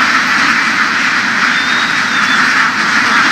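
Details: Herded laying ducks out in fields of western Vietnam, a thick continuous chatter of countless quacks merging into a steady roar, plus one thin high whistle midway.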